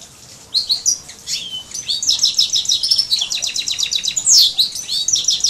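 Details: Major x canary hybrid in full song, after a brief quiet start: quick rising and falling whistles, then dense rolling trills of repeated notes and a sharp upward-sweeping squeal near the end.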